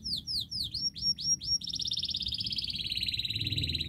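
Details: Canary singing a master song to prompt silent canaries: a string of sharp downward-sliding whistles, then a long steady rolling trill of fast repeated notes.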